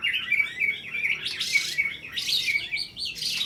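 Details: A contest white-rumped shama in aggressive fighting style, its song packed with sharp mimicked small-bird calls: fast repeated high chirps and twitters, broken by loud noisy bursts.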